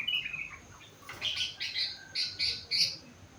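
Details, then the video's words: Four-month-old sooty-headed bulbul in full song filled with rengganis and cucak wilis imitations: a few quick high chirps, then a run of short, bright, clipped phrases repeated about every third of a second. "Burung Kutilang gacor isi rengganis cucak wilis"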